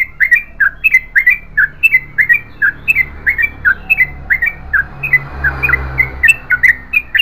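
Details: Singing Yellow-vented bulbul in long continuous 'ropel panjang' mode, giving fluty, gurgling paired notes in a steady run, with a soft rushing noise and low hum rising near the end.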